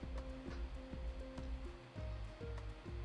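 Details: Background music with steady tones and a regular beat, plus a soft rushing noise; no animal calls.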